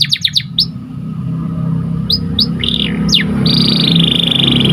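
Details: Singing white canary on a training recording: a short burst of fast trill notes, scattered sharp slurred whistles and a long buzzy rolled note, partly masked by continuous low rumbling noise.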